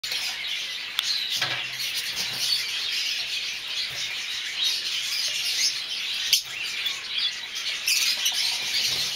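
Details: Masked lovebirds of several colour varieties, mauve, olive, cobalt and dark-factor violet, kept together; a dense, continuous high chatter of overlapping shrill chirps and squeaks with brief taps and clicks.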